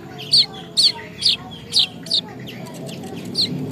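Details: Weaver bird in Bima, West Nusa Tenggara, still learning its song, gives five bright high-pitched chirps in quick succession, roughly two per second, followed by a pause and one softer chirp.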